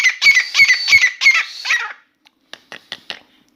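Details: Indoor Grey francolin song: a quick burst of five harsh, ringing notes at a brisk pace, then silence broken by a few soft, dry clicks.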